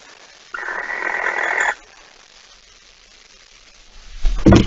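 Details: Barn owl at the nest at 05:14 on 26 August 2019, as a mouse is brought in: a single rough hiss of just over a second, then quiet, ending in a low thump.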